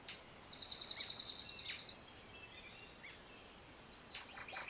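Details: MacGillivray's warbler giving a rapid, even series of high buzzy notes for about one and a half seconds, followed by a pause and the loud start of another phrase, over a soft background hiss.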